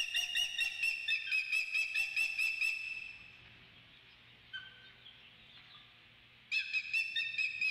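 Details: Osprey at the Dunrovin Ranch nest, 28 May 2013: a fast series of sharp, whistled chirps, about two per second, for three seconds. A quiet pause follows, then the chirping resumes. A low steady hum runs underneath.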